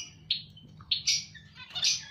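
Zebra finches give short, nasal, high chirps in quick bursts from a busy colony.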